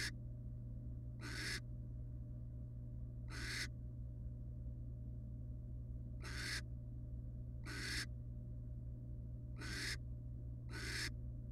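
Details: In a nest box, wild barn owls resting as a family produce seven short, rough hissing bursts at uneven intervals, with a continuous low hum throughout.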